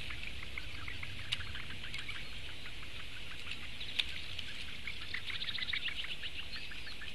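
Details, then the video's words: Four Eurasian bittern nestlings beg for food on 16 May 2017, live broadcast. Unbroken high twittering of quick tick notes is punctuated by two loud snapping clicks, with low outdoor noise underneath. "četri mazie pudeļbiršti - barības diedelēšana"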